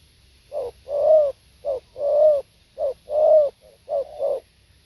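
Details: Spotted dove singing live: pairs of short and long low, mellow coos, each long note arched and slightly falling, repeated in a steady rhythm over a quiet background.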